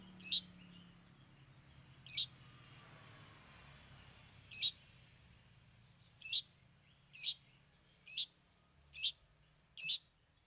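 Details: Long-tailed shrike, a trained bird singing mimicked phrases: loud, harsh, rattling high notes given singly, with uneven gaps at first, then about once a second.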